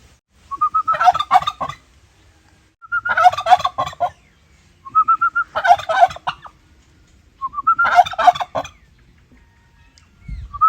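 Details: Turkey gobbling four times about every two and a half seconds. Each gobble opens with a short run of whistled, slightly rising notes, then a loud rattling, gurgling burst.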